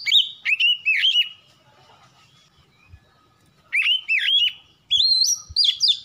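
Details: Oriental magpie-robin (kacer) lure song: clear, loud whistled phrases with swooping downslurred notes, delivered in short groups separated by a pause of a few seconds.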